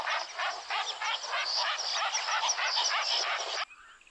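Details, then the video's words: Lilac-breasted roller producing a dense, continuous run of rasping, chattering croaks lasting over three seconds before stopping abruptly. "So we did a bird call challenge, and it was in fact a lilac breasted roller, which sounds like this."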